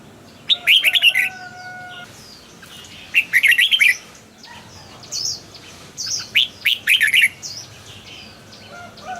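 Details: Caged red-whiskered bulbul singing short bursts of rapid, bright warbled notes that rise and fall, three phrases a few seconds apart, with steady faint tones held between them.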